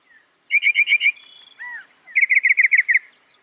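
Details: Northern mockingbird song: a quick burst of five rich chirps, a sustained thin whistle and a single swooping note, then a rapid series of seven repeated chirps.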